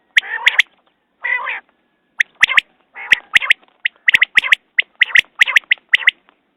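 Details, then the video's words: Quail: two nasal, buzzy squawks, then a steady series of sharp clicky notes in pairs and triplets, repeated rapidly. "Batair Ki Awaz New Quail sounds 2019"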